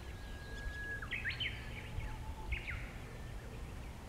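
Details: Japanese bush warbler singing close by: a long, steady whistled note held for about a second, then a quick rising and falling flourish, with a shorter flourish repeated soon after over soft background hiss.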